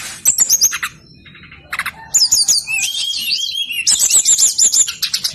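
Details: Brown-chested jungle flycatcher in full, insistent song, used to draw silent birds into answering: clusters of sharp high chirps followed by long bubbling, wavering high-pitched warbles that rise and fall.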